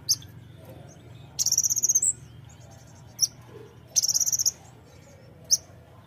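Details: Brown-throated sunbird song used to set off fighter birds: two rapid, very high trills of about eight buzzy pulses each, roughly 2.5 seconds apart, separated by single sharp chips and a faint low background hum.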